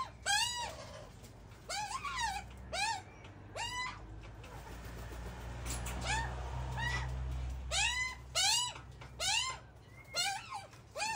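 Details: Group of baby Australian magpies squawking while their mother feeds them, filmed close up: about a dozen harsh, harmonic squawks that rise then bend down, in clusters of two or three, over a steady low hum.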